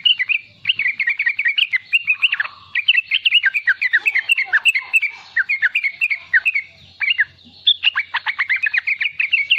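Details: Sooty-headed bulbul, a young bird, in energetic 'riwikan' chattering used to lure and train other bulbuls; quick, tumbling, slurred notes pour out almost without break, with brief gaps near seven and eight seconds.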